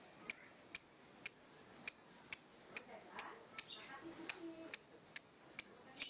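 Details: Ngokop-style lovebird song made of short, very high, clipped chirps repeated steadily about twice a second, with faint quiet twittering between notes.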